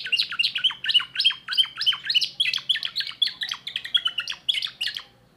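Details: Young 2024 timbrado canary singing a quick, even series of chirped notes, each a short downward sweep, repeated about three times per second in a rhythmic rolling phrase that ends abruptly.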